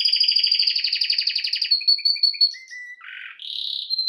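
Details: Canary giving a rapid pulsing trill that slows into spaced short notes, two low whistles, a brief buzz and a final rising high trill.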